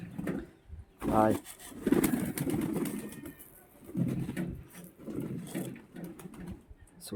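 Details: Pigeon cooing: low, throaty, rolling coos in repeated bursts through the recording, with a short sharp louder sound near the start and light clatter in the background.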